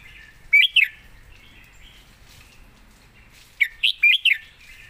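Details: Red-whiskered bulbul singing a master-song style phrase, described as a golden-voiced bird: two bright, warbled whistled notes, a quiet gap, then a lively run of four rising and falling whistles, with clean background.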